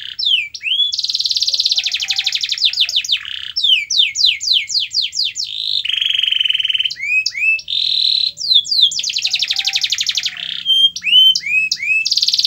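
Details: Loud canary song for prompting a lazy canary to sing: alternating rolling trills, series of rapid descending notes, flat buzzy tones and upward-curving whistles in a continuous varied flow.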